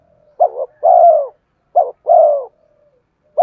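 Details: Spotted dove song used as a lure for wild birds: two low phrases, each a quick doubled note then a longer, smooth, falling coo, separated by a short silence. A third phrase begins at the end.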